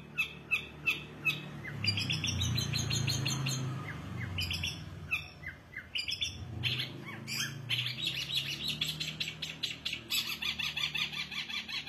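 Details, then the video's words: Long-tailed shrike (cendet) singing a rapid, busy medley of sharp chirps, rattling trills and scratchy mimicry-like notes, dense and loud, over a low rumbling background hum. "cendet gacor isiannya mewah banget"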